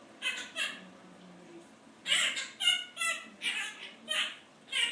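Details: Household Quaker parrot, male, mimicking overheard complaints about its owner's job; a couple of quick syllables, a one-second pause, then a steady run of six harsh, voice-like syllables.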